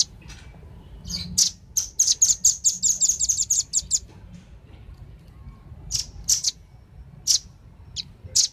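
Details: Velvet-fronted nuthatch calls, male and female, used to lure wild birds: a fast run of sharp high chips around one second, then scattered single chips after a pause, over faint low background hum.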